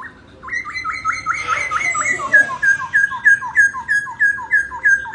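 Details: Laughingthrush dancing and singing: a loud run of rapid, evenly repeated whistled notes, first a steady level series, then down-slurred notes, about three per second, with faint background hiss.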